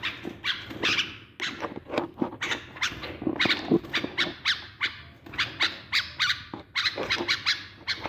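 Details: Tame pet bulbul singing, possibly being trained for mating, giving a rapid run of short, bright, chattering notes, several each second, with brief pauses between bursts.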